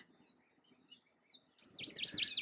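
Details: Hawaii amakihi at Hakalau Forest National Wildlife Refuge, Hawaii Island, gives its contact call, given by both sexes: faint high notes, then a loud, quick run of high, buzzy, slurred notes, about five in under a second.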